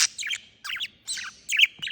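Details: Pet parakeets calling while being played with by their owners: bursts of bright, chattering chirps and squawky warbles, four clusters in two seconds.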